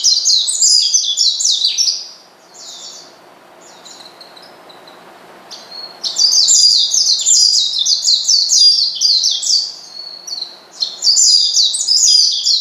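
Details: An Oriental white-eye provokes a rival with its call: dense, shrill twittering in three bursts, with a quieter stretch of a few seconds between the first and second.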